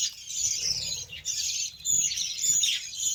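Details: Budgerigars during a beetroot feeding: bursts of high warbled chatter with a couple of brief pauses and squeaky rising notes.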